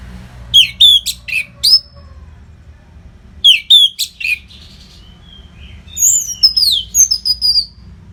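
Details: Orange-headed thrush (anis merah) in continuous training song for competition birds: three bursts of sharp, descending whistled notes separated by pauses, the last a longer run of slurred high whistles with faint low hum behind.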